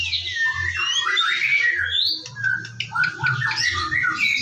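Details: White-rumped shama singing in the morning as a lure to make birds sing: fluid whistled phrases, then short clicks and quick slurred notes, over a constant low hum.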